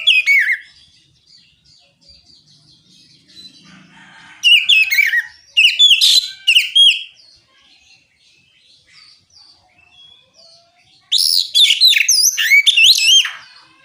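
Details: Oriental magpie-robin giving open ngeplong song intended to set off other magpie-robins singing. Three loud bursts of quick, varied, slurred whistles and trills are separated by several seconds of soft, scattered notes.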